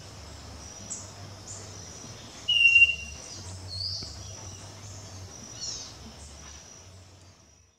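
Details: A scaly-breasted wren in Colombia, a bird often heard but hard to see, gives a single pure, clear whistled note, held briefly and slightly falling, over a steady high insect hiss and faint distant chirps.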